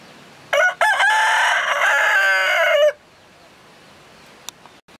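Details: Rooster crowing: one loud, harsh cock-a-doodle-doo lasting about two and a half seconds, a short broken opening then a long sustained strained note ending abruptly, followed by quiet with a faint click.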